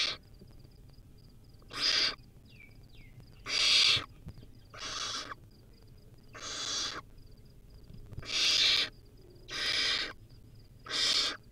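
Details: Wild baby barn owl at a live-streamed nest, feeding on a rodent: long harsh hissing screeches, each about half a second, repeated every one to two seconds, with faint rapid ticking pips in the background.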